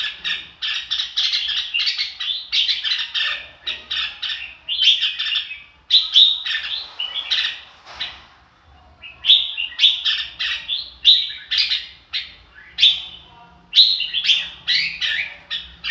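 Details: Red-whiskered bulbul singing: rapid, bright whistled and chattering phrases, repeated almost without pause, with a short break near the middle and a faint low hum underneath.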